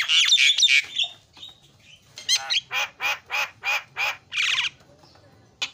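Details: Javan myna singing as a lure for mynas that stopped singing: a burst of harsh chatter, then a row of about seven evenly spaced, hoarse, broad squawks, ending in a rough screech.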